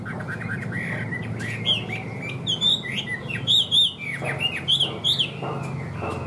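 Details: Caged Chinese hwamei, described as a good, even-voiced singer, starts with soft notes and then gives bright looping whistles in quick bursts, with a few sharp clicks between phrases.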